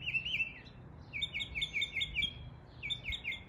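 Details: East Tennessee northern mockingbird copying local bird calls, delivering bright, wavering high chirped phrases in quick clusters, a brief pause, then more repeated burry notes, with faint low background hum.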